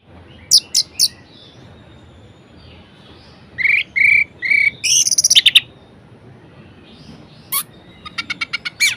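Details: Orange-headed thrush in vigorous, varied song meant to rouse lazy thrushes into singing: scattered sharp high chips, then a run of buzzy mid-pitched notes and a dense burst of rapid trilled high notes.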